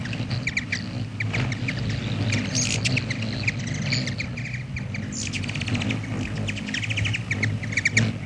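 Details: A Black-chinned Hummingbird at a feeder gives dry, high ticking chips, some in quick rattling bursts, over a steady low hum.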